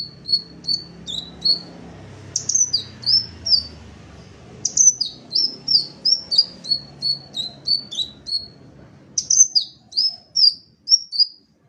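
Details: Red-tailed crimson sunbird (sepah raja) uttering long runs of rapid, high, sharp chirps, some slurred downward, in three or four close bursts over quiet low murmur.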